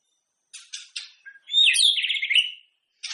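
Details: Shama singing ahead of a bird contest to set off rival shamas: three harsh rasping notes and a short low whistle lead into a loud, fast warbled trill, then another harsh note at the end.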